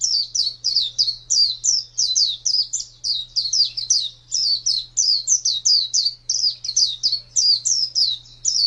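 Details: Contest-bred pleci white-eye from 2017 giving high, clipped chirping phrases, each a quick cluster of slurred notes, repeating steadily about twice a second over a low hum.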